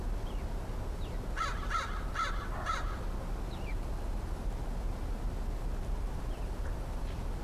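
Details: Cautious-sounding crow on a 13 October 2013 visit, last crow friend of the year: four quick, harsh caws in a tight burst near the start, then scattered thin chirps from small birds against a low steady hum.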